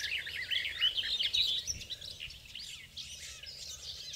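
A garden warbler sings a fast, rich, even warble of bubbling mid-high notes for about a second and a half, then fainter warbling continues over soft background hiss.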